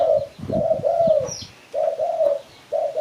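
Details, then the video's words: Spotted dove in Malaysia, its call used as a lure for catching birds. Low, mellow coos are given in pairs, the first note broken by brief knocking, with a faint high chirp. "Sound Spotted Dove Malay"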